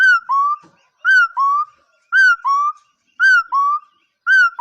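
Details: A bird's whistled call of two notes, a higher falling note then a lower upslurred one, comes roughly every second, clear and even, against a quiet background.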